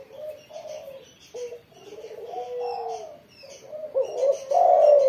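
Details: After its morning sunning a spotted dove coos in softer, blurred phrases that build to a louder drawn-out coo at the end. Higher chirping of other birds is scattered throughout.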